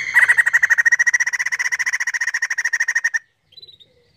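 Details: Crested laughingthrush singing actively, used to provoke other birds to sing: a rapid series of about forty evenly repeated chattering notes over three seconds, then a brief faint higher note after a pause.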